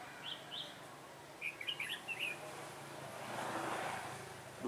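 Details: Red-whiskered bulbul decoy during trapping, 3 November 2017: a few separate chirps, then a quick run of bright warbled notes, followed by a passing vehicle's rising rumble.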